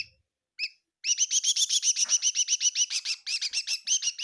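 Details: In a kitchen at Tseminyu, Kohima, a bird gives a couple of isolated chirps, then launches into a dense, rapid, rhythmic chatter of high chirps, roughly four per second.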